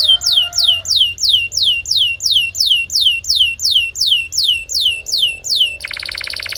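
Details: Canary singing for training other canaries: a long, very regular series of loud falling whistled slurs, about two and a half per second, ending in a harsh buzzy rattle.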